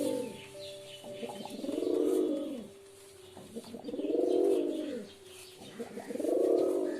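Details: Pigeon cooing in three even, arched, throaty phrases, each swelling and fading, repeated about every two seconds.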